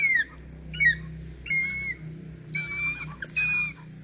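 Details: Piercing whistles from a hawk-eagle during training, short rising and falling notes in uneven clusters with brief pauses, over a steady low mechanical hum.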